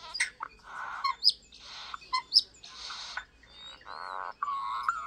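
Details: Pet European Starling singing indoors: alternating buzzy harsh bursts and sharp high clicks roughly once a second, with a thin rising whistle and a closing nasal warble.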